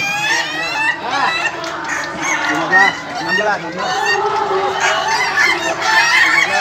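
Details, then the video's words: Laughing chicken roosters compete in an Indonesian contest final, with many birds crowing at once in long, rippling, cackling phrases that rise and dip. "Kontes ayam ketawa"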